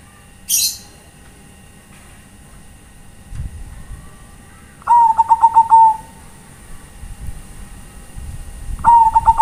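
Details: Bangkok-type zebra dove cooing to call companions: after a brief high squeak, two pulsed, bubbling coo phrases about four seconds apart over low background rumble.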